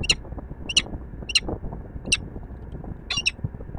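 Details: At Warsaw's Palace of Culture and Science in Poland, a peregrine falcon calls five times with sharp, rasping notes spaced about two-thirds of a second apart, the last one doubled, against a low urban hum.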